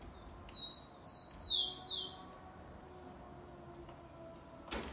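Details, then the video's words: Rufous-collared sparrow singing the Xavante song type, an 'affirmative' melody close to the Mantiqueira song, recorded 04/10/2020: two high thin whistled notes, then two loud slurred descending notes, ending in a single soft thump. "Tico Tico Xavante cantando muito com um dos seus variados cantos."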